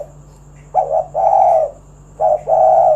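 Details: Spotted dove singing in 'kuk 1' style, used to coax other doves into song; two phrases, each a short wavering coo followed by a sustained hollow note, with a steady low hum behind.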